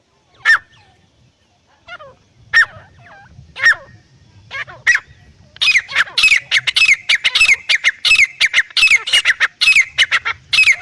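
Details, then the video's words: Black francolin, male and female, giving clear calls: sharp squawking notes around the middle of the range, sparse at first, then a fast irregular run of harsh repeated notes from six seconds on, with a low rumble beneath. "دھکنی تیتر ایرانی تیتر نر مادہ کی صاف اواز"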